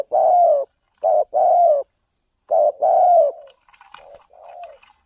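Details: Spotted dove taken out as a decoy bird to lure doves in another province: low mellow coos in two groups, a short note then longer drawn notes, followed by fainter scattered chirps.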